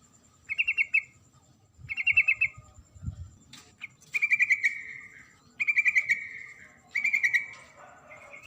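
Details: Sooty-headed bulbul female calling the male with five short chattering phrases of rapid repeated notes, some ending in a drawn-out slur, spaced one to two seconds apart over faint background noise.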